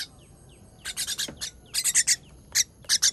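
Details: Baby bird fed on 18.06.23, giving loud, strident chirp bursts of two to four notes, separated by quiet gaps holding faint thin down-slurred notes.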